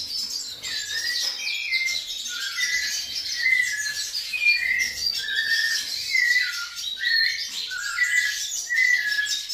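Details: A pet white-necked thrush sings a busy run of clear, downslurred whistles, about one a second, mixed with high scratchy twitters and chatter.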